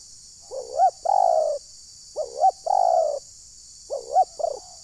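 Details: Spotted dove lure sound at Desa Satu Ujung Batu, Rokan Hulu, used to provoke wild birds: a looping rising-falling note and a long coo, repeated three times about every one and a half seconds.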